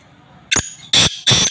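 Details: Kala teetar, the black francolin, giving a loud rasping call: a brief clipped opening note, then two strong harsh, buzzy bursts a third of a second apart, against a low hum.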